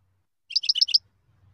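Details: European goldfinch, likely a kept bird, giving a quick run of four bright, liquid twittering notes in under half a second, high and tinkling, with a faint low hum underneath.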